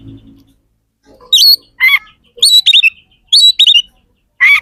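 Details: Oriental magpie-robin singing very actively. Loud, clear whistled notes and sharp slurred phrases come in short bursts separated by brief pauses, after a low rustle at the start.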